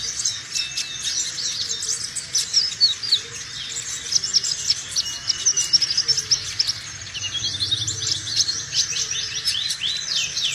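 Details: Energetic sunbird singing, recorded from the bird itself and meant to draw in other sunbirds or train birds: a long unbroken stream of quick, high, sweeping notes and twitters.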